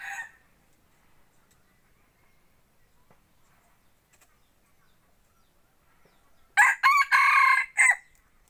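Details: Crowing of a decoy rooster chosen for forest hunting: after a long quiet stretch, a loud crow broken into several clipped harsh syllables ending in a separate final burst, with a faint call at the very start.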